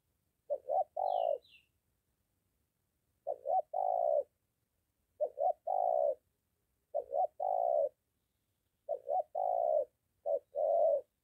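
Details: Molting decoy spotted dove walked near home and met by a wild male, giving low hollow cooing phrases, each a short double note then a longer coo, repeated about every two seconds in a quiet setting, one faint high chirp early on.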